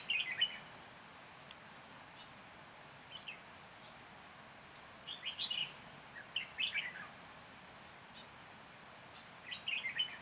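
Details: Decoy red-whiskered bulbul singing during a trapping session in Hòa Bình on 14 January 2021: four brief, clear chirping warbles spread over ten seconds, separated by quiet gaps of steady background hiss.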